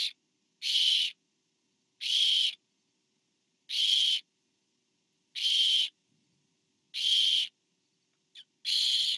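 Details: Nest-camera barn owl recording from 24 September 2015, with a parent feeding owlet number four; six broadband, hissing screeches, each under half a second, repeated regularly about every 1.6 seconds, plus one brief clipped note.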